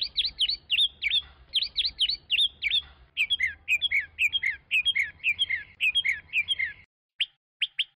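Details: Chinese hwamei singing: a rapid, loud run of rich whistled phrases, first bright rising-falling notes repeated in quick pairs, then a chattering series of lower warbled syllables, ending after a brief pause with a few sharp chips.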